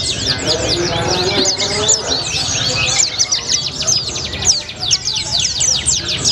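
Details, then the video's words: Continuous 'gacor ngalas' white-eye song in a colibri style: a rapid rattling series of high, thin, falling chirps packed tightly together, unbroken for the whole stretch, with a low murmur in the background. "Burung Pleci Rasa Colibri, Gacor Ngalas"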